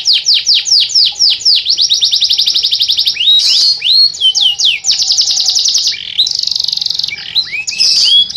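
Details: Canary singing vigorously in the nunduk style: fast high trills of repeated downward-sweeping notes, switching into buzzy rolls and rising whistles, loud and continuous with no other sounds.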